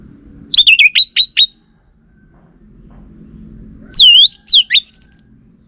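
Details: Orange-headed thrush lure phrases meant to draw an answer from male birds: two bursts of sharp, high, downward-slurred notes, the first five quick notes, the second a loud swooping note followed by several quicker ones.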